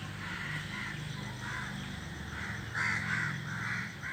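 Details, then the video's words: A flock of crows sitting in a tree, calling noisily: harsh, hoarse caws repeated in irregular bursts, growing louder and overlapping toward the end, over a steady low droning hum. "A flock of crows sitting on the tree is making noise"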